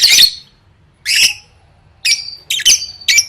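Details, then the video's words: Lovebird song for competition training: a few separate bursts of shrill, rasping chatter and short high whistles, spaced roughly a second apart. "Suara Burung Lovebird III Latihan Gacor Gantang Siap Juara"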